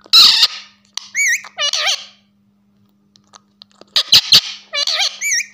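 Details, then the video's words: Ringneck parakeet talking while perched on a person's shoulder, wavering warbled mimicked syllables in two bursts, mixed with sharp clicks and harsh squawky notes, with a faint steady hum indoors. "Ringneck talking on my shoulder"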